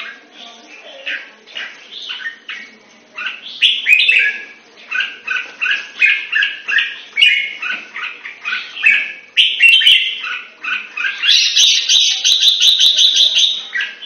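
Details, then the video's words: Singapore-kept red-whiskered bulbul in long gun song training pours out a rapid run of short warbled notes, several per second, that ends in a dense buzzy high trill, with sharp ticking sounds behind. "Jambul - สิงคโปร์เลี้ยง นกหัวจุก MOSCOW Training Long Gun"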